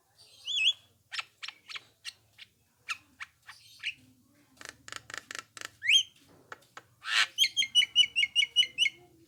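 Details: Black-winged myna playback call meant to provoke other mynas into answering: scattered clicks and rasps, rising whistled slurs, then a rapid series of sharp hooked notes.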